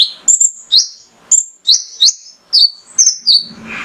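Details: Mangrove whistler male giving lure song for other birds: spaced, slurred whistles rising then holding steady at high pitch, a few per second, closing with a low rustle.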